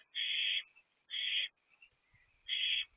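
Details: An excited owlet in a nest box at 7:50 pm on 4/1/24, as the night's first food delivery arrives, gives three harsh, hissing screeches of about half a second each, with short quiet gaps between them.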